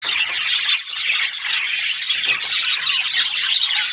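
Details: Australian budgies chirping together: a dense, continuous wash of overlapping high chirps and warbles from many birds, with no pauses.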